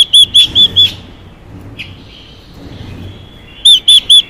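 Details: Female Chinese hwamei calling to excite a male: two short bursts of four loud, clear whistled notes, each note slurred up then down, separated by a quiet gap with faint background hiss.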